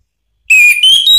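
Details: Orange-headed thrush from Indonesia, sharp provoking song: after a short silence, three clear whistled notes in quick succession, each slightly higher than the last.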